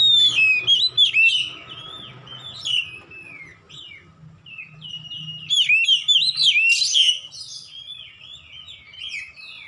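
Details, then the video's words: Caged-bird training recording of an Oriental magpie-robin singing gacor ngeplong: descending whistled phrases, a lull, then a rich rising flurry of slurred notes and buzzy bursts before quieter trills. "AUTO NGEPLONG GACOR KACER ANDA DIRUMAH"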